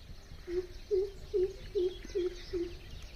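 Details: Greater coucal visiting a house, giving a series of six deep, hollow hooting notes evenly spaced about every 0.4 seconds, steady in pitch, against quiet background hiss.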